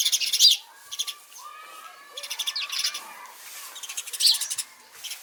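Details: House sparrow chirping: bursts of quick, harsh repeated chirps in short clusters, several loud runs across the recording, over faint lower whistles and twitters of other birds in the background.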